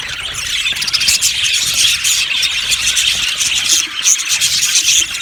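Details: Yellow budgies in an aviary colony chattering all at once: a dense, continuous wash of high chirps, squeaks and warbling with no pauses.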